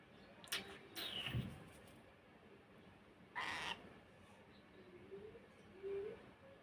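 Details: Pet cockatiel in a scuffle with its owner, giving harsh rasping screeches with a grating tonal edge: two quick bursts in the first second, a longer one past three seconds, then quieter scrapes and a faint human voice.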